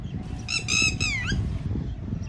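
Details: A Red-wattled Lapwing near water in the Indian Subcontinent gives its "did he do it" call: a shrill, strident run of three sharp notes, the last slurring downward, against low wind rumble.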